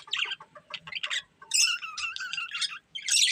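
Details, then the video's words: Caged budgerigar pair giving rough, clipped chirps followed by longer nasal, wavering warbled notes and a final harsh squawk. "Beautiful Budgies Chirping Sounds"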